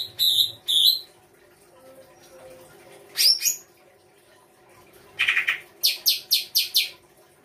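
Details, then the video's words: Songbird singing full isian rai gosong kancer: two clear high whistles, a sharp downward note, then a harsh rasping burst and a rapid series of five short piercing notes, over low background hum. "FULL ISIAN RAI GOSONG K9NCER"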